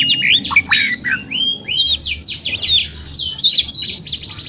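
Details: Canary song used as training audio, long continuous singing: fast varied whistled phrases, sweeping notes and rapid trills, bright and high, one after another with almost no pause.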